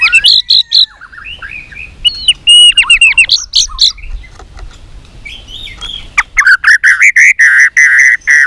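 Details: White-rumped shama giving competition-style song with many voices: rising whistles, looping slurred phrases, then a fast burst of repeated clipped notes.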